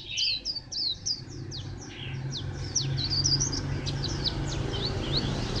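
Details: White-eye singing at Phù Yên on 2 October 2015: a fast, high twittering run of sharp chirps and short slurred notes, tumbling almost continuously over a steady low hum in the background.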